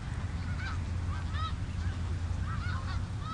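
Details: Snow geese on the Richelieu River give a rapid series of clear, nasal, up-and-down honks, several birds overlapping in a lively chatter, with a deep steady rumble underneath.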